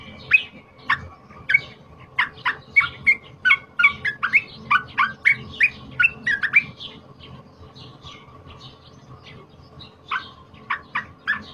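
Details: Loud fighter song of a wild-caught cream-vented bulbul, used for tutoring: regular sharp chirps about twice a second for seven seconds, a quiet pause, then a few more bright notes at the end, with a steady mechanical hum.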